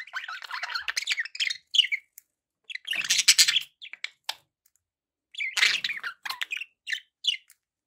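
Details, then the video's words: Indoor pet budgerigars chattering with rapid chirps and twitters, broken by two loud rasping, scratchy bursts. "1 hour of budgie sounds"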